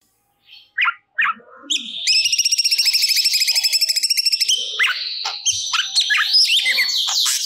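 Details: Cucak cungkok singing vigorously as training audio for songbirds: a few short calls, then a long rapid buzzy rattle of pulsed notes lasting over two seconds, followed by high varied chirps and whistles.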